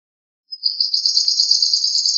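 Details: Opening of a swamp sparrow trill: a brief rising note, then a quick, steady series of high chips that carries on to the end.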